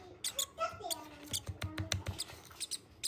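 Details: A hungry violet rosy-faced lovebird chick being hand-fed makes short, raspy squeaks and thin downslurred peeps in quick bursts, mixed with clicking and gulping sounds of feeding.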